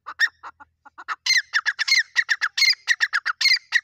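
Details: Partridge, an Irani teetar, in a fight, giving quick, uneven harsh notes that build into a loud, rapid chattering series, many calls packed into under four seconds.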